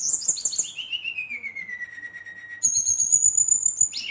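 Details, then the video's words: At night, a brown-chested jungle flycatcher sings hard to stir up rivals: a fast trill opens, then a long whistle glides slowly downward, followed by a sustained very high steady whistle and a closing rising note. "SRDC Gacor Ngeroll, Sikatan Rimba Dada Coklat ngamuk memancing emosi srdc lain"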